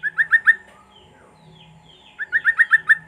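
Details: Sooty-headed bulbul song used to prompt silent birds: a fast run of four bright, rising notes, a soft pause with faint higher chirps, then a longer matching run of about six notes.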